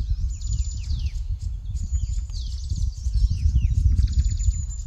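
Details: Green-backed tit parents flying frantically back and forth at a tree nest-hole while a yellow-throated marten eats their chicks; high thin notes and quick descending slurred chips repeat in bursts over heavy low rumbling background noise.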